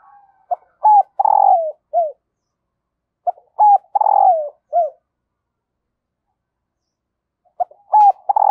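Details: Calling female dove, meant to excite males and lure wild ones rapidly: three repeated phrases of clipped coos and a long, throbbing, downward-sliding coo, with pauses of about a second between them.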